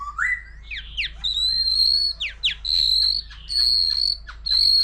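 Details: Wild-caught white-rumped shama singing many voices with a laughingthrush present; an upslurred whistle, quick sharp downstrokes, then long steady high piercing whistles repeated with short gaps.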